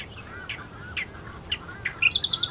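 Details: An Australian reed warbler calling among reeds at first light at Herdsman Lake, Perth, Western Australia, gives short throaty notes about twice a second, then a quick run of higher chirps, with faint softer warbling underneath.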